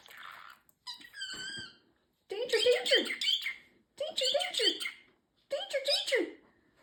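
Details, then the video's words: Talking pet parrotlet, a male, running through his phrases indoors: a short whistled note, then three quick, choppy speech-like bursts with wavering, rising and falling pitch. "Talking parrotlet"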